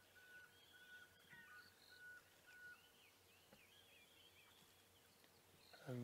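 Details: Tiny Pearl-spotted Owlet calling from a drainage line behind a giraffe at sunrise, 25 Oct 2016, Sabi Sand, South Africa: a faint series of clear, level whistles in the first three seconds, with other birds chirping higher and a low engine rumble.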